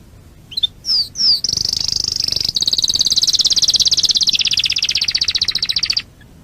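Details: Singing canary of a prized breed: two brief slurred chirps open into a sustained, rapid, rattling high trill that shifts tempo midway and continues steadily for nearly five seconds.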